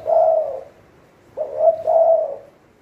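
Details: Decoy Spotted dove, a caged trapping bird from Thailand. One long mellow coo ends, then a fresh phrase begins: a quick clipped note followed by a sustained, rolling coo.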